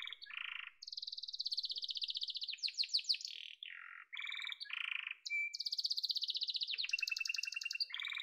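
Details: Yellow canary delivering varied tours: high steady rolls, short low trills, a thin sustained whistle, then a bubbling high trill over a lower repeated phrase.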